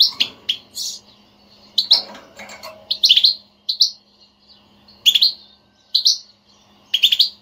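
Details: European goldfinch 'batbata', a motivating twitter for getting a quiet goldfinch to sing: high, slightly buzzy chirps in loose clusters, about one burst a second, over a low indoor hum.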